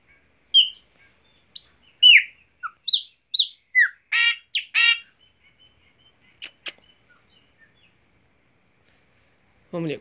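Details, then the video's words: Chopi blackbird singing while perched on its owner's hand in Mogi das Cruzes, São Paulo, Brazil: a burst of varied loud whistled and slurred notes, then harsh raspy notes, fading into sparse chips, with a man coaxing it to sing beforehand. "Pássaro Preto Negão Cantando Na Mão"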